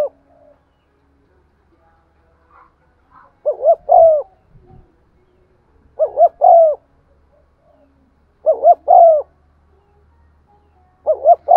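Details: Spotted dove kept as a lure, cooing to stimulate rivals in 'giọng son' style; four evenly paced phrases, double short coo then a drawn-out falling note, with a few soft thumps between.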